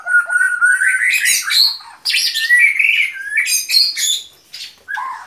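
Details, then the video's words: Rich varied song of a white-rumped shama: whistled slurs rising and falling, interleaved with harsh high notes and quick mimicked phrases, in bursts with brief pauses. "Relaksasi suara Burung Murai Batu"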